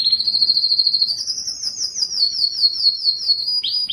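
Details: Yellow canary delivering one sustained high trill of fast, evenly pulsed notes that climbs slightly, holds, then eases down before two quick downward-swooping notes close the phrase.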